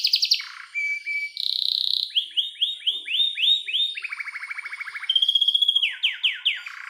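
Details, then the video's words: Varied canary song with long clear rolls used as therapy for a canary that has stopped singing: quick trills, a sustained buzzy note, rising slurs in series, and a descending rattle. "Pancingan Kenari Paud | Terapi AMPUH Kenari Macet bunyi | kenari gacor dor Roll panjang jernih"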